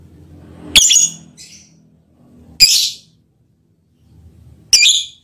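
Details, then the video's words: Lovebird giving its mating call toward a male partner: three loud, shrill chirps about two seconds apart, the first followed by a brief softer high note. "Lovebird's mating call and its effect on the male partner"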